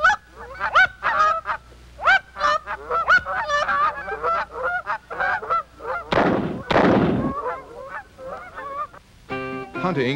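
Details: Canada geese on Missouri wintering grounds honk in a loud, overlapping chorus of two-note calls, answering hunters' decoys and calling, broken by sharp gunshot blasts near the end.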